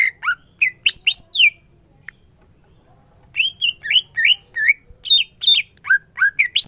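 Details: Greater green leafbird giving loud, varied whistled and slurred notes in two bouts separated by a short pause, each note sharply rising or falling, delivered at an irregular pace.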